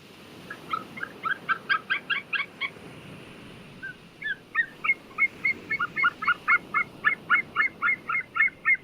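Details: White-tailed eagle calling: two bursts of rapid, yelping notes about four per second, a short pause between the runs, then a longer, steady series to the end.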